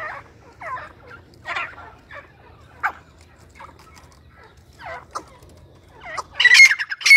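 Grey francolin giving harsh, squawking notes repeated about twice a second, irregular in pace, building to louder, shriller bursts at the end.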